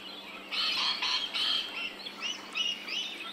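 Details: Rainbow lorikeet in Australia, captured in ambisonic surround sound: a run of harsh, grating screeches during the first half, then thinner squeaky chirps and twittering notes rising and falling toward the end.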